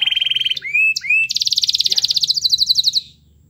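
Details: Energetic canary song meant to prompt a reluctant canary to sing: a steady whistled tone, two swooping notes, then a long rapid buzzy trill ending abruptly in near silence.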